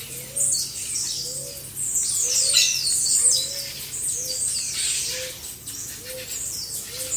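A crowd of blue-black grassquits gives high, buzzy, overlapping chirps in a constant chatter. A soft, low note repeats underneath about every second.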